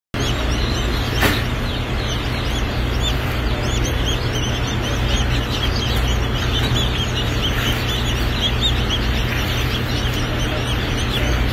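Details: Lavender Orpington baby chicks at a hatchery, many peeping together in dense, overlapping high chirps throughout, set against a steady low mechanical hum and broadband background noise.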